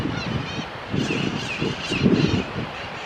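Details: Red-fronted macaw (Ara rubrogenys), a Bolivian endemic, giving harsh, raucous squawks in four quick bursts over about three seconds, backed by a heavy low rumble of wind or handling noise.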